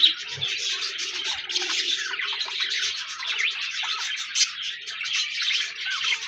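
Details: Several budgies chattering together, steady overlapping warbles, squeaks and quick chirps with no pauses, over a faint low murmur.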